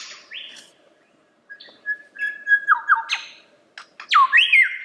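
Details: Lyrebird singing clear whistled notes, level tones then sliding drops and rising upswept whistles, with scattered clicks between phrases.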